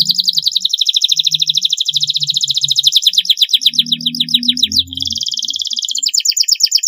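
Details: Canary singing in a training recording for juvenile birds, a rapid high rolling trill of quickly repeated notes that changes pace midway into a smoother buzzy phrase, faint low knocking in the background.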